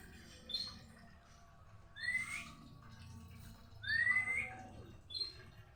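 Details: White-rumped shama giving a few sparse song phrases: short clear whistled notes that rise sharply, separated by pauses of about two seconds, with faint higher notes and a low background rumble.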